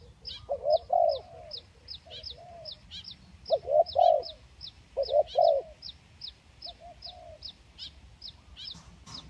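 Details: Lure recording of spotted doves, 'kacuk' and 'kampung' types, with clusters of warbling coos every second or two, overlaid by a fast, steady series of high, thin ticking chirps.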